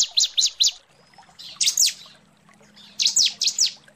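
A female Bar-winged Prinia calls to a male with sharp, high, downslurred chirps in quick bursts of two to four, over a faint low hum.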